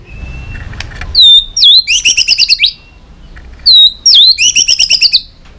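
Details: White-rumped shama singing competitively with tail flicks. Two matching phrases, each a sharp whistled note followed by a quick chattering trill, are separated by a pause with a low background hum.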